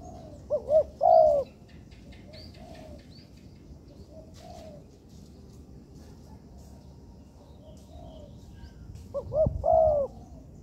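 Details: Spotted dove, a young bird trained in an artificial yard, gives two full cooing phrases about nine seconds apart. Each has short lead-in notes and a long, soft closing coo. Faint, brief coos and light rustling come in between.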